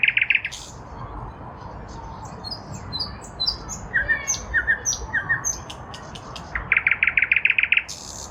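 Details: Nightingale singing from a lilac bush in spring 2023: varied phrases of high whistles and thin notes, ending in a loud rapid rattle of repeated notes around eight per second.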